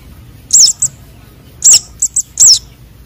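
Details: Young sunbirds, konin and sogon, recorded as a lure for trapping birds: a few high, sharp twittering chirps with wavy inflections, clustered in two bursts and separated by quiet pauses.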